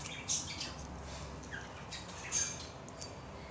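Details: A sun conure (Aratinga solstitialis) gives two harsh, piercing shrieks about two seconds apart, with softer chatter between.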